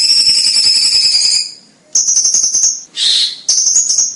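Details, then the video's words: Cucak cungkok song used as a vocal tutor for competition songbirds, described as loud and dense; piercing high whistles stretch into rapid buzzing trills, broken by short pauses and a harsh burst near the end. "Burung Cucak Cungkok JIIOOOOOSSSSS"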